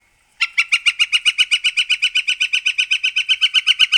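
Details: Northern flicker (Colaptes auratus) gives a long, even series of loud, ringing ki-ki-ki notes, about six per second and steady in pitch, against a quiet background.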